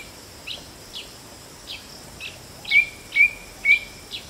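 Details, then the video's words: White-bellied drongo: soft scratchy notes repeated about twice a second, then three louder, clear whistles, each a sharp attack sliding into a level tone, over faint high background hiss. "White Bellied Drongo Call"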